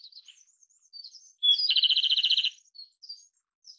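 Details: Japanese robin (Erithacus akahige) delivering a loud rapid trill of about a second, a dense run of repeated high notes, framed by soft thin twittering and scattered high chips before and after.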